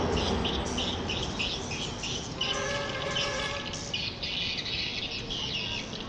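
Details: Edible-nest swiftlets linked to swiftlet farming: dense, high chattering chirps from many birds overlap continuously, with a brief lower harmonic squawk near the middle, over a steady hiss of background noise.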